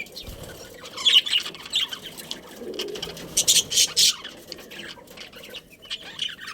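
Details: Budgerigar breeding colony: scattered bursts of high scratchy chirps and warbles from several birds, with quieter gaps and soft rustling between.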